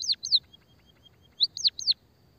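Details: Munia (pipit/emprit), played to attract birds and make lazy singers call: two pairs of loud, high, down-slurred chirps separated by a faint thin trill and a quiet gap.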